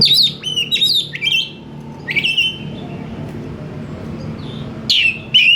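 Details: Oriental magpie-robin singing actively, described as quick to respond: bursts of high, falling whistled and slurred notes in two groups, a pause with low background hum, then loud whistles resume near the end.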